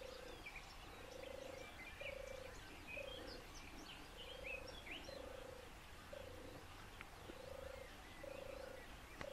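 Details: Endangered European turtle dove in Poland's Lower Silesia, where five nests and 14 birds share four square kilometres, repeating soft rolling purrs about nine times at even intervals while other birds chirp and twitter higher in the background.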